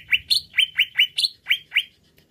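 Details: Greater green leafbird (cucak ijo), sound used to stir a bird's aggression: eight sharp rising-falling chirps in quick steady succession, about three per second, over a faint low hum.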